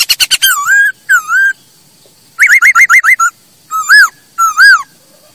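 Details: Song of a masked laughingthrush, used for training other birds: rapid staccato notes leading into long wavering whistles, then a string of six quick rising whistled notes and a few separate warbled phrases.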